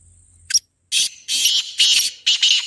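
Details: Black francolin call, used as a lure to make other francolins call: a harsh, grating phrase of five rasping notes, a short first note followed by longer scratchy ones, in about two seconds over a quiet background with a faint high whine.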